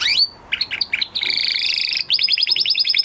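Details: Canary singing after its moulting period: a short jumble of whistled notes and a buzzy, rattling passage, then a quick high trill of repeated chips.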